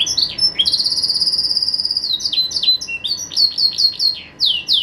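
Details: Caged pet green canary singing at Jaesan: a long, steady, high whistled trill gives way to a quick series of bright down-slurred notes repeated several times a second.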